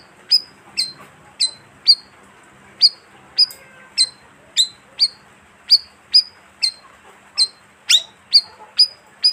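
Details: High, squeaky chirps of the bayeman, a colonial bird, used as a lure call for wild birds: a long, steady series of sharp down-slurred notes, about two per second, each ending in a thin whistle.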